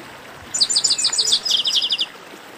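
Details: Esquenta-style song of a chestnut-capped blackbird: one brisk series of about a dozen sharp, high, evenly spaced chipping notes, slightly descending, lasting around one and a half seconds against soft background noise.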